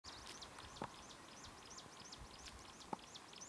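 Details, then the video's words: Chinese leaf warbler recorded in China in 2008: a rapid series of thin, high, hooked notes repeated about five times per second throughout, over steady background hiss with a couple of sharp clicks. "Chinese Leaf Warbler"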